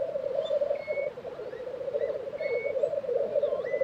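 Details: At a Swedish black grouse lek in Tiveden, April 2023, a rolling, gurgling bubbling chorus carries on without pause while faint whistles and slurred notes of other birds sound above.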